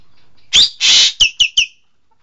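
A green magpie gives two loud, harsh rasping bursts followed by three quick, sharp high notes in under two seconds; no other sounds.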